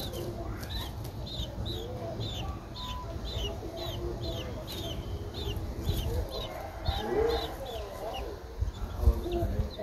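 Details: Twelve-day-old Streak-eared Bulbul chick, which opened its eyes at seven days, recorded in Ubon Ratchathani, Thailand, on 14 April 2023. It gives short high chirps that rise then fall, repeated about twice a second. Low rumbling background noise.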